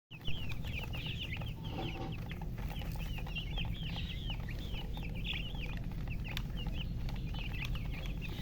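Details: Several chickens chirping: a steady stream of short, high, downslurred peeps overlapping from many birds, set against a constant low rumbling hum.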